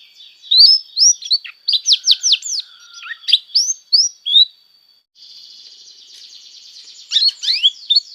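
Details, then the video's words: Canary singing as a tutor for young canaries: a run of curved whistled sweeps, some rising and some falling, a pause with a thin steady tone, a soft rattling trill, then rapid sharp chirps. "PANCINGAN JITU BURUNG KENARI#014,masteran burung kenari paud"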